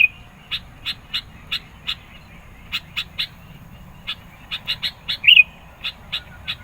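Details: A sooty-headed bulbul sings insistently to provoke rivals and lure birds: evenly spaced sharp chips, a pause, then quicker chips climaxing in one loud looping whistle.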